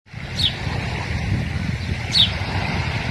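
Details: Hungry American dipper giving two sharp, high, downslurred call notes about two seconds apart over a steady low roar of rushing water.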